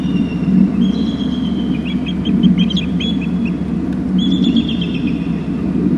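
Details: Two bald eagles calling at their nest territory on Hornby Island, filmed by a nest camera. One eagle flies off. Series of high, thin, chittering piping notes in bursts, over a strong low rumble of wind or distant traffic.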